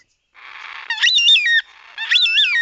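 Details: Carnaby's black cockatoo (Zanda latirostris) giving two drawn-out, wavering wee-woo calls about a second apart, clear-syllabled and rich in overtones, after a brief rasping lead-in; less harsh than the red-tailed black-cockatoo's call.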